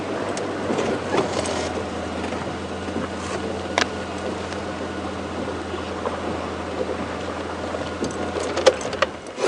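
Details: A steady engine drone and vehicle rumble with a few knocks and clatters; no animal voices stand out.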